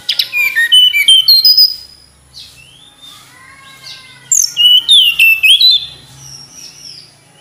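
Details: Tledekan gunung flycatcher: two energetic phrases of fast, high chirps and sweeping whistles, separated by a brief lull with softer, lower whistled notes.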